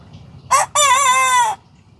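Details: A young Sanjak cockerel just starting to crow: a short harsh note, a brief pause, then a drawn-out, slightly wavering harmonic crow lasting under a second, loud and clear over a faint low background rumble.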